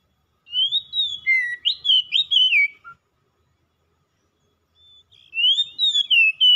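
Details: Oriental magpie-robin singing non-stop: a burst of clear, warbling whistled phrases with rapid swoops and chirps for about two and a half seconds, a pause, then the phrase starts again.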